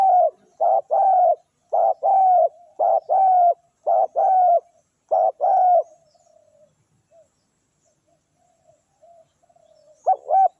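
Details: Spotted dove decoy luring wild doves: a rapid run of paired low coos for about six seconds, then near silence with faint soft notes, before calling resumes at the end.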